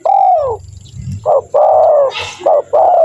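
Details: Spotted dove call used as a lure to draw wild doves into answering: a long, gently falling coo, then a short coo, a drawn-out coo, a brief rough burst, another short coo and a final sustained coo, clean and loud.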